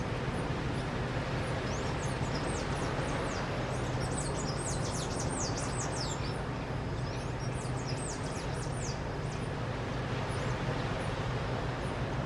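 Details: Palm tanager in Praia Vermelha, Angra dos Reis, an urban bird, giving thin, high squeaky twitters in quick bursts, over a heavy low rumble of wind or distant traffic.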